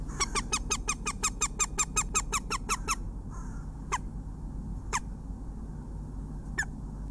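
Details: Female northern goshawk calling from her nest in Latvia on a February late morning, with crows nearby. A rapid run of about fifteen sharp, harsh kek notes, several per second, is followed by a few isolated single notes over a steady background rumble.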